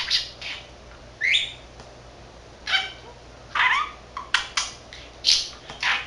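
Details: Young male budgerigar kept as a pet, 13 months old, talking to himself: scattered raspy, clipped speech-like bursts and one upward-sliding whistle, separated by brief silences in a quiet room.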